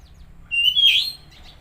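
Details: Oriental magpie-robin, played to stimulate a silent or stressed bird, giving a single clear whistled note that rises and swells briefly, over a low steady hum.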